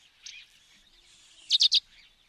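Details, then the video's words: Sparrow in Africa: faint chirp early, then a quick run of three loud, sharp chirps near the end over a soft hiss of background birdsong. "Воробей. Африка. Голоса птиц"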